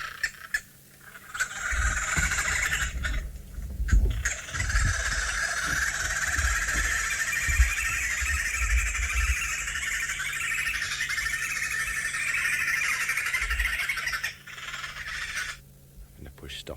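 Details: Green wood hoopoe call played back on an African safari drive, a loud, continuous cackling chatter over a low idling engine.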